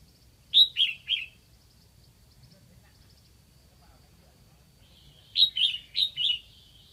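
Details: Decoy red-whiskered bulbul from Lạng Sơn singing to attract wild birds: a rapid three-note whistled phrase, a pause, then a longer four-note run of bright, slurred whistles.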